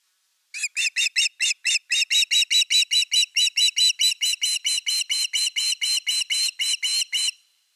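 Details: On 30 August 2021 at a Finnish osprey nest, around an evening fish, one unbroken seven-second run of loud, rhythmic whistled chirps, about thirty notes at a steady quick pace.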